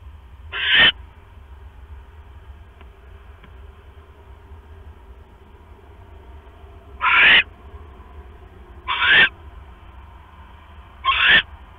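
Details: Owl nest at night, October 5, 2015, during a rat delivery by the male to the incubating female; four brief, rough screeches, one early then three after a long quiet stretch, over a constant low hum.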